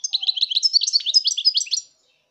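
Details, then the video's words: Recorded in 2019, a European goldfinch delivers one continuous burst of quick, high, liquid twitters and trills lasting about two seconds before falling silent. "chant chardonneret 2019"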